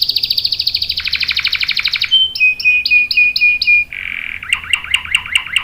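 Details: Female canary in breeding condition calling the male, used to lure and tutor other canaries: a long fast trill, then clipped repeated whistles stepping lower and a choppy chattering phrase.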